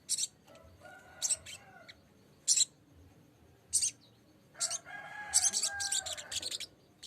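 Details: Lesser green leafbird singing to call a rival, used as a lure to get other birds singing; sharp high chattering bursts with short gaps between phrases, several loud scratchy notes.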